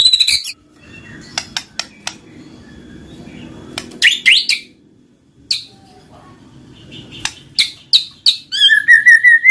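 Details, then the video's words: White-rumped shama song played to coax a silent bird into singing: sparse sharp clicks and short notes over a low background hum, building at the end into a fast series of high whistled notes. "Pancinggan Murai Batu Jadi Gacor Ngeplong, Murai Malas Bunyi Langsung Respon Gacor"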